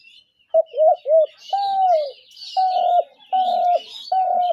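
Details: Spotted dove cooing as a lure for trapping: two quick coos then a drawn-out coo and three more flat, steady coos, with chirping small birds behind.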